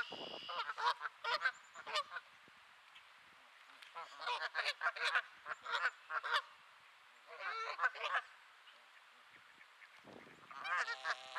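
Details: Bursts of quick, nasal goose honks from grumpy geese at Sainte-Adèle, Quebec, late afternoon, 2 May 2022, overcast and 15°C. The bursts are separated by short silences, with a final louder, drawn-out honk.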